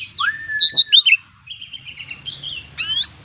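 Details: Kacer, the Oriental magpie-robin, in full isian song: a falling whistled glide, then a bright warbled cluster, a softer wavering run and a closing fast buzzy trill over a low background hum.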